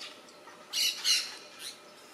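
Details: Harsh, buzzy double squawk from an orange-chinned parakeet feeding on red fruits in a tree, Soberania National Park along the Panama Canal, November 2014. A softer trailing note follows against faint background hiss.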